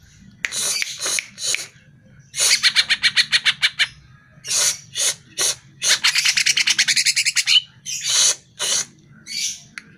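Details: Greater green leafbird lure song for caged birds: loud grating buzzy bursts separated by silences, plus two long, fast, even rattling trills of raspy notes repeated about eight times a second.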